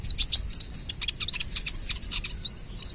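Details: Olive-backed sunbird, speckled trotol form, in full rapid-fire 'AK 47' song used as a lure: dense run of shrill high chirps and ticks, ending in sharp rising and falling whistled slurs.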